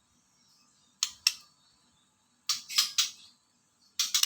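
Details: Indoor room with sharp, dry clicking bursts in small clusters, like a camera shutter or tapping, separated by near silence; no animal voice is heard.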